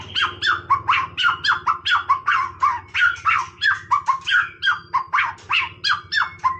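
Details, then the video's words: White-rumped shama singing casually: a fast series of repeated downslurred notes, about four each second, each sweeping down through mid pitches, with a steady low hum underneath. "นกกางเขนดงร้องเล่น Shama Bird"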